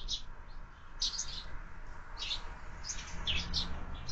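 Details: Sparrows at a window-mounted feeder during breakfast, fed year-round: scattered short, bright chirps in small bursts, some doubled, over a steady low hum.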